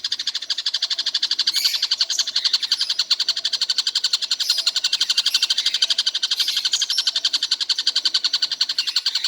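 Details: Stork-billed kingfisher calling all day without pause, giving a steady, rapid, unbroken run of sharp high notes, about four per second, sustained throughout.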